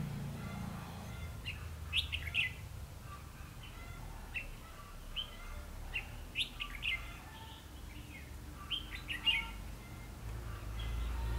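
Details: Decoy red-whiskered bulbul singing at a trapping site on 21 December 2015: lively, slurred whistled phrases of two or three quick notes repeated every second or so throughout, over a soft low background hum.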